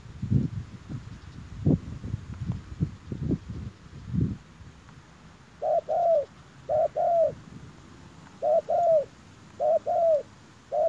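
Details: Spotted dove used to lure wild birds; low thumps and knocking fill the opening, then clear paired coos follow, a short note and a longer falling one, repeated every second or two.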